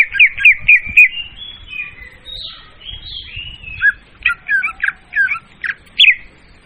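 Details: A leafbird sings loudly and clearly as a trapping lure. It opens with quick chirps, then gives drawn-out, wavering whistles, and finishes with a burst of rapid, scratchy notes.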